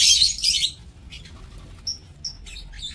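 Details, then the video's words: Lovebirds kept in an aviary: a loud harsh screech opens, followed by quieter scattered high chirps and brief whistles. "Aviary Lovebird"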